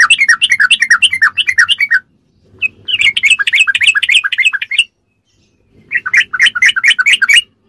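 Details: Sooty-headed bulbul in fast ropelan song, meant as a masteran tutor: three dense bursts of rapid twittering, bubbly notes with short silent gaps between.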